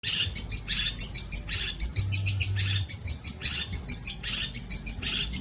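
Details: Long-tailed shrike song used as training material for songbirds: a busy run of sharp, high chirps and short scratchy phrases, about one burst per second, with a low steady hum underneath.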